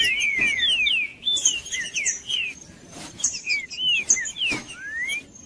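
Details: Wild green-winged saltator in the bush, its song used to excite a cold captive bird: a run of clear whistled slurs, mostly falling and one rising at the end, delivered in fast bursts over a steady high-pitched background tone.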